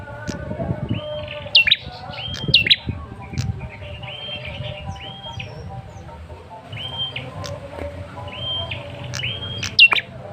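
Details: Male red-headed tailorbird lure call meant to prompt a quick response: level whistled notes repeated every second or so, each ending in a sharp upward flick, with low background rumble throughout.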